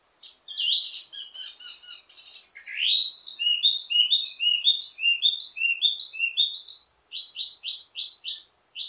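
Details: Ledekan (teasing) song of a wambi mini, used to tutor birds of the same kind. Dense high chattering gives way to a long run of quick repeated rising whistles, then a pause and a few sharp notes.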